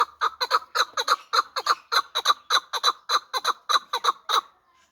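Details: Young hybrid fighting partridge, hatched last year, giving a fast run of loud, harsh chuck notes in uneven pairs and triplets, about twenty pulses over four seconds, then stopping.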